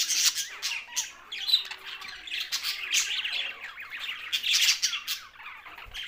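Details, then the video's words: Several budgies, Australian parrots, keep up a busy warbling chorus of scratchy chirps, short whistled slurs and squawks, rising and falling in loudness with brief lulls between bursts. "Budgies Australian parrot sounds"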